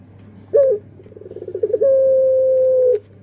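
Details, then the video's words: A puter pelung dove sings one sharp short note, then soft stuttering pulses and a long, flat, sustained coo of over a second, against a quiet low hum. "Suara Burung Puter Pelung//Sound Dove Singing"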